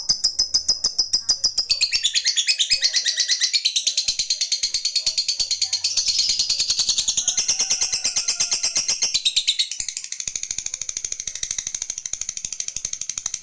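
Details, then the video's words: Lovebird fighter giving a long ngekek, a shrill, continuous, high-pitched chattering used to call a rival and provoke it into chattering back. The chatter runs unbroken for most of the stretch, changing texture partway through, over steady rapid ticking clicks. "Suara Burung Lovebird Gacor Ngekek Memanggil Lawan, SANGAT AMPUH bikin Lawan ikut Ngekek Panjang"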